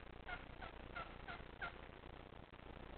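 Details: Angry wild turkey hen scolding a caller in her territory: five short, sharp yelping notes spaced about a third of a second apart, over a strong low rumbling background noise.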